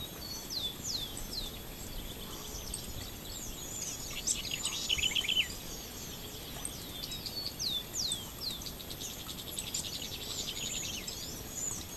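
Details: House wren (Troglodytes aedon) singing at dawn: a quick, bubbling burst of high chattering notes amid a busy chorus of thin, downslurred whistles and chirps from other birds.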